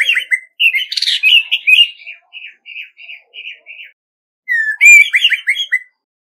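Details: Decoy Orange-headed Thrush in competitive singing without background noise: a rich run of whistled notes settling into a series of short repeated syllables, a pause, then a rising whistled phrase with quick falling slurs.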